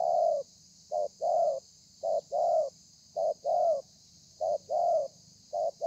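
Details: Spotted dove repeating thổ pha coos, recorded 30 November 2020: six regular two-part phrases, a short clipped note then a fuller mellow coo, about one every second, with electrical hiss in the background.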